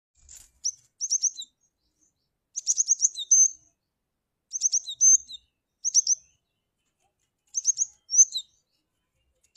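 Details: Cinereous tit lure call: bursts of rapid high chirps followed by a clipped whistled note, each phrase about a second long, repeated with short pauses; clean background.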